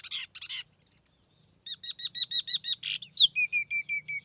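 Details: Tiểu mi laughingthrush used as a lure bird, heard without background noise: two harsh bursts, a pause, then a rapid string of even chirps and a fast series of thin, descending notes.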